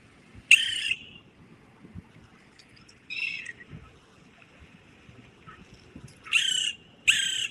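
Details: West Indian woodpecker (Melanerpes superciliaris), a Caribbean endemic, giving its distinctive harsh, nasal squawking calls, single and then paired, spaced a few seconds apart, over a faint background rumble.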